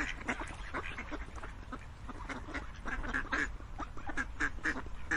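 Ducks quack in a dense, overlapping chorus of short, nasal calls, several each second, with a low background rumble.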